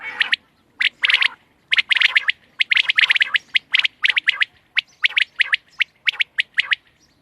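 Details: Loud, rapid series of sharp, high quail notes from 31 March 2024, grouped in quick doublets and triplets with barely any gap, a steady chattering rhythm for several seconds.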